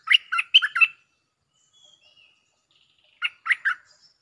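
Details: Lure recording of a bulbul song with doubled phrases: a rapid run of five lively, warbled notes, then a short quiet gap with a faint thin whistle, and a repeated three-note chirpy phrase.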